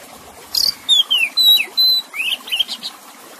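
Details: Oriental magpie-robin song with a harsh scratchy opening note, then pure level and falling whistles, ending in softer upslurred chirps and short raspy notes.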